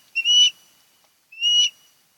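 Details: Nesting osprey on Kent Island, Maryland, captured by a nest camera on 10 August 2018: two drawn-out, somewhat softer high whistles about a second apart, each with a slight upward slur and a thin trailing tone.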